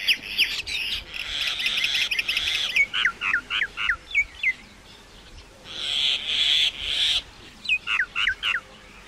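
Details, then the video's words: Common myna singing: harsh, buzzy bursts alternate with quick runs of sharp, downslurred whistled notes, about four per second, in two separate sequences. "Common myna bird song /Indian maina sound /mynah singing"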